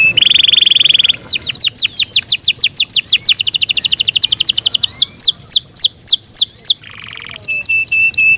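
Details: Pet Yorkshire canary in full song, starting with a harsh buzzing trill, then quick rising and falling whistled sweeps repeated in rhythmic runs, a brief rough buzz and a ticking high series at the end.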